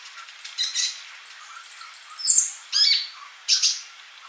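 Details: Actively singing male sunbird used as a tutor for mute young birds: high thin trills and a fast stuttering run of sharp notes, then two harsher bursts.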